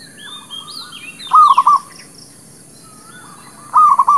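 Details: Song of a zebra dove, called merbuk kampung or perkutut lokal, used to lure birds into traps: two crisp, rapid stuttering coo phrases about two seconds apart, with faint high chirps and whistles of other birds early on.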